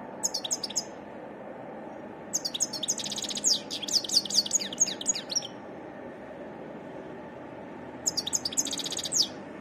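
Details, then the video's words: Wild European goldfinch song in a varied style: three bouts of quick twittering made of sharp descending chips mixed with brief buzzy trills, the middle bout the longest, separated by quiet pauses. "تغريد حسون متنوع"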